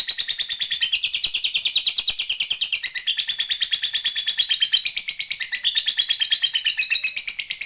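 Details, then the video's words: Lovebird of the fighter type calling a rival with a long, unbroken ngekek: loud, very high, buzzy chattering trill of rapid notes, about three per second in pulsing groups, sliding slightly up and down. "Lovebird GACOR MEMANGGIL LAWAN"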